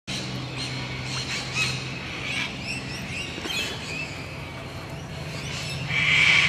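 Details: Sulphur-crested Cockatoos in Lane Cove National Park, Sydney, Australia, give faint scattered squawks, then one loud, harsh, grating screech, over a steady low hum and small bird chirps.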